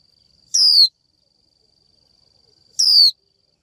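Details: Female Japanese white-eye calling a male, her 'chíu' note used to excite males into song. Two loud, thin descending whistles about two seconds apart, with a continuous high whine between them.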